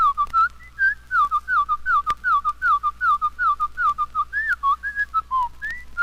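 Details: Winter Wren (Troglodytes hiemalis) song slowed to quarter speed and dropped two octaves: a fast run of sweet, whistle-like notes, nearly three a second, wavering up and down and ending in a soft, plaintive falling slur.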